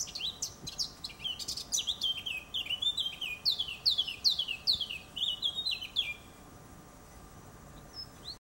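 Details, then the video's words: Eurasian blackcap singing in a garden, recorded 7 June 2015: a fast run of clear, varied whistled notes over about six seconds, falling slurs repeated in quick succession, then near silence with faint background. "Zwartkop in de tuin - Fauvette a tete noire chante"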